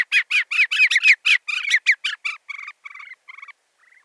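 A rufous-bellied seedsnipe gives a rapid series of about fifteen harsh, buzzy notes that slow down, drop slightly in pitch and fade over four seconds.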